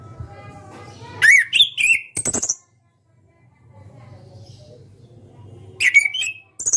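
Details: Ngeplong song of a caged orange-headed thrush that won a national contest: rapid looping whistles with sharp snaps, a long silence, then a second bright rising whistle phrase near the end over faint hum.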